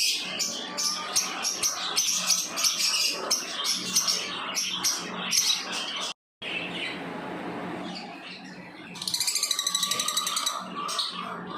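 Lovebirds chirp in a dense, shrill chatter of rapid high notes, with a brief gap and a fast buzzy trill near the end; a low background hum persists.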